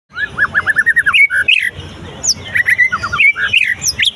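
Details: White-rumped shama singing after its moult: a rich whistled song that opens with a quick run of about eight descending slurred notes, then breaks into varied sharp rising and falling whistles and high chips.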